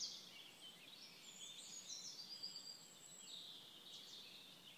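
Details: Eurasian wren at PP Březinka nature reserve, Náchod-Běloves, on 5 June 2016, pouring out a high, rapid run of trills and chattering notes for the whole five seconds, fairly faint against a soft background hiss.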